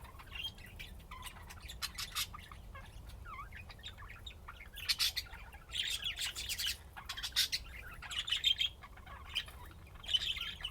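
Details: Budgies playing in Austin, Texas, USA: a long run of intermittent chirps and clicks growing into grating warbled chatter in the second half, with brief quiet gaps.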